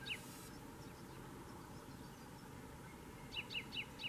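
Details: Gran Canaria common chaffinch, subspecies canariensis, recorded at Fontanales, Gran Canaria, in June; one note opens, then a quick run of four high, downslurred chipping notes near the end over a steady low hum.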